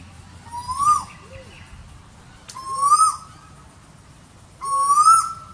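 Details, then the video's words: Asian koel (Eudynamis scolopacea) calling three times about two seconds apart: each a rising whistled note with a rich ringing tone. A soft, short, lower arched note follows each call, over faint low background noise. "Sound of Asian Koel Bird -Tuwur Asia"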